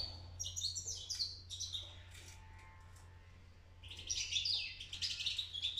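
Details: European goldfinch fledgling starting to sing: two bouts of high, jangling twitter separated by a quiet gap of about two seconds, over a constant low electrical hum.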